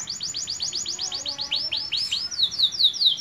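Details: Young canary whose voice has just broken, already singing a full song: a fast series of high, arched sweeping notes, then a shift into quicker down-slurred whistles, over a low steady background hum.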